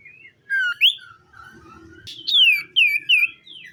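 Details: Common iora in the morning giving clear, sweet whistled phrases that slur down and rise, delivered in short bursts with brief pauses; faint low background murmur.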